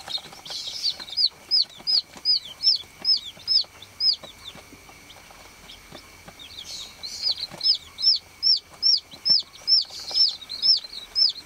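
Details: Baby chicks calling on a farm: two bursts of clear, high, down-curving peeps repeated about twice a second, separated by a quieter stretch with faint scattered chirps and a steady background hum.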